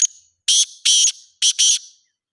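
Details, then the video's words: Black francolin calling: a thin opening note, then a harsh, grating phrase of four loud buzzy bursts packed into about one and a half seconds, with silence around it. "کالا تیتر کی آواز"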